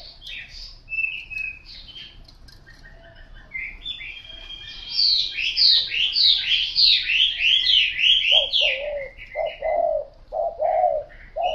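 A spotted dove gives low, soft cooing notes in a short repeated series near the end, after a burst of busy high chirping from small birds.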